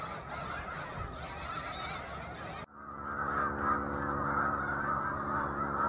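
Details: Large flock of snow geese on the shore of Cayuga Lake, Seneca Falls, New York, March 2021: a dense, continuous chorus of overlapping nasal honks, with a brief drop in level partway through before the clamour swells again.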